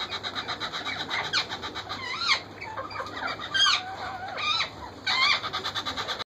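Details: Wild parakeet feeding its hungry chicks; the young give rapid grating pulses, interrupted by several louder rising and falling squawks, before the rhythmic begging resumes.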